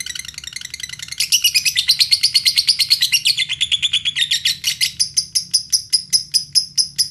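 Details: Lovebird song serving as a lure to make other lovebirds sing, from Indonesia: rising into dense shrill chatter, then ending in a string of spaced, sharp chirps about two per second.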